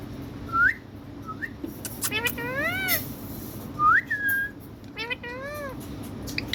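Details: Indian pet parrot talking sweetly, mixing short rising whistled notes with wavering, voice-like syllables in two bursts, several seconds apart, over a low steady background hum.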